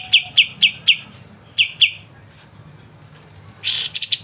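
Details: Kapas tembak ngebren master song used to train songbirds: a handful of sharp chips, a quieter gap, then a brief dense burst of higher notes.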